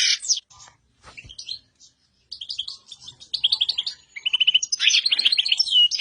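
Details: Black-headed goldfinch singing: bright twittering phrases with gaps at first, then dense tinkling trills and a few quick repeated notes, growing louder and continuous toward the end; nothing else clearly heard.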